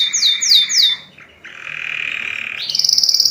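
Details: Canary song: three loud descending high whistled sweeps, a brief pause, then a long buzzy sustained trill, ending in a rapid high rattling trill.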